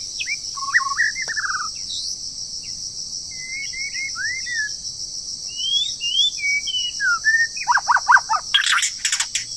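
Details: Song of a wild bird in moult, breeding season: quavering whistles, then spaced upward and downward slurred notes. Rapid harsh chirps and clicks come near the end. A continuous shrill insect hum runs throughout.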